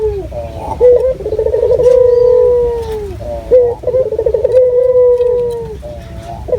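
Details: Local puter dove, used as a lure call, with a loud, clear, natural voice. Two long cooing phrases: each opens with a quick rolling trill, then holds a steady, slightly falling mid-pitched note for over a second. Soft hiss in the background.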